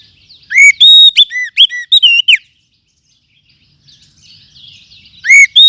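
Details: Wild oriental magpie-robin of the forest, calling as a lure for attracting and training birds. Loud whistled burst with sharp upswept chips, a long stretch of faint scratchy chatter, then another loud burst starting at the end.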